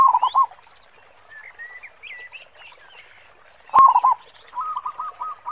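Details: Zebra dove, local bird with a big 'khong' voice, used as a lure: two short loud bursts of low rolling coos and a closing run of even notes, with a sharp click and high bird twitters between.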